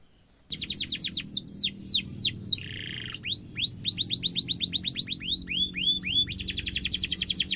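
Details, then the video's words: Sharp-rolling canary song for training young canaries, with high curved whistles, a short buzzy burst and fast repeated trill notes over a low background rumble. "kenari gacor ngerol tajam cuit cuit kenari bisu langsung nyaut efektif untuk masteran kenari muda"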